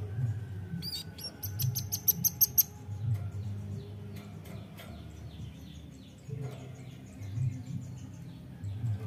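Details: Nuthatch used as a lure: a fast volley of bright, high chips early on, followed by scattered faint chirps over a low rumbling hum.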